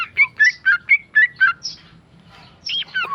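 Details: Tame male sooty-headed bulbul singing in the rapid ropel style: six quick burry phrases of slurred whistled notes about two per second, a pause, then a few varied squeaky whistles.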